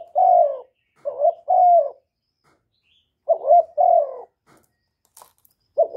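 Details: Spotted dove kept as a lure bird, cooing in phrases of soft mellow hoots, each a short note followed by a fuller falling coo. Two phrases come close together, a faint click sounds near the end, then a new coo begins.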